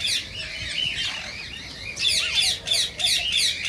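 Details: Rose-ringed parakeet, heard to encourage singing and mating: mixed high chirps and a short whistled slur, then clipped shrill squawks repeated in quick bursts.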